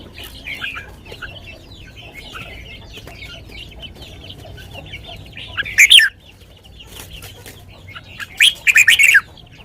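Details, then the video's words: Red-whiskered bulbul giving a sweet song in the lak wai style. Two separate loud, brief bursts of quick warbled whistles are spaced about three seconds apart, with steady chattering from other birds throughout. "นกกรงหัวจุก 626 จ้าวมาดี ลากหวาย หวานๆ"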